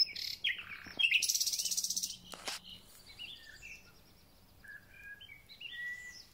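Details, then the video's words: Thrush nightingale in full song at the start of spring, the singer not clearly seen: a loud, fast burst of repeated sharp notes, then softer thin whistles and short chirping phrases, with insects faintly in the background. "Słownik Szary koncert na całego to znak że zaczęła się wiosna"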